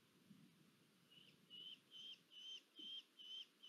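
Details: Female Red-footed falcon at a nest in Polgár, Hungary, on 1 August 2022, during food deliveries. After a quiet second, about seven short, clear whistled notes with a faint overtone follow at an even pace, roughly two per second. A low background rumble runs underneath.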